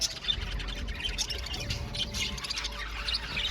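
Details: Chattering blue male budgerigars in an aviary colony: overlapping high chirps, squeaks and short whistles run together over a steady low hum in the background.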